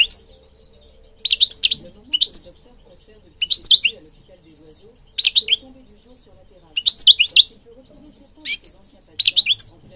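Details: European goldfinch song used to stimulate goldfinches: short clusters of sharp twittering chirps repeated roughly every second or two, with quiet gaps between them.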